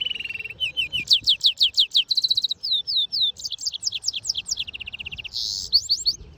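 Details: European goldfinch mule singing: a varied, rapid song of clear twittering notes, with runs of repeated upslurred chips, fast trills and a brief buzzy phrase, all high-pitched and crisp.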